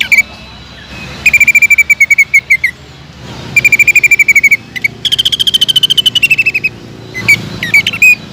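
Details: Greater green leafbird in energetic song to lure rival leafbirds: rapid rattling trills at a steady pitch, a higher falling trill, and scattered sharp chips near the end.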